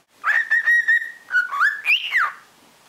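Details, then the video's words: Six-month-old pet cockatiel, fond of chattering, reacting to its own voice with a clear whistled phrase: four steady level notes, then a short dip, a rising slur and a higher note that swoops up and falls away. "オカメインコピカちゃん おしゃべり大好き 自分に反応ｗ"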